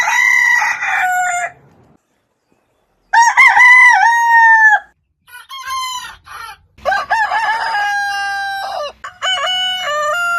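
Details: A rooster's morning crow, repeated: loud, clear crows of one to two seconds with a short rising start and a sustained level tone, separated by silences. The later crows overlap slightly with fainter calls.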